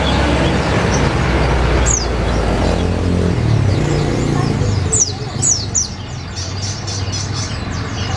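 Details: Sogok ontong, or olive-backed sunbird, recorded as tutor song for white-eyes: one early high sweep, then a regular series of sharp, descending high notes, over loud low-pitched vehicle rumble.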